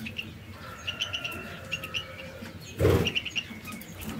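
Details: Pet canaries busy building and finishing their nest so they can lay eggs; short high chirps in quick little clusters, a faint steady tone underneath, and a loud rustling thump near the end.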